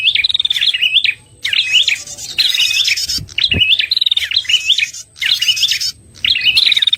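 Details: Red-headed prinia lure call for bird trapping: bursts of sharp twittering chirps with high buzzy rattles, separated by pauses of about half a second, plus a faint low thump.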